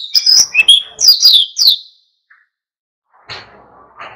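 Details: Oriental white-eye singing hard in wild style to provoke other birds: about two seconds of quick, high, sliding chirps, then quiet and some faint rough background noise.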